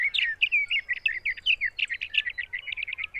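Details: Sage thrasher singing in June at Arapaho NWR, Colorado: a long, rapid run of warbled, buzzy notes, varied and jumbled, delivered without pause and ending in quicker repeated phrases.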